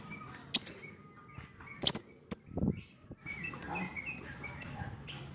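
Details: A fighter lovebird's long 'ngekek' chattering, played to coax silent lovebirds: high, piercing squeaks come singly and in pairs, then a quick series of short shrill notes, with a brief low rustle midway.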